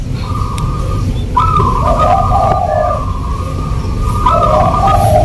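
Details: Local zebra dove singing in a rhythmic pattern: a steady higher coo tone alternating with lower, rolling coo phrases, repeated with short pauses; constant low rumbling background noise.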